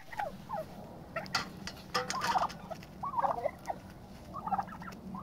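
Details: Turkeys fighting for dominance in a pecking-order dispute; wavering purring and yelping notes repeated through the clip, mixed with sharp scuffling clicks and a steady low hum.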